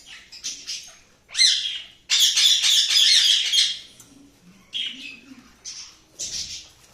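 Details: Cockatiel chirping: scratchy high squawks and chirps, one long grating burst lasting almost two seconds in the middle, followed by several shorter rasping calls.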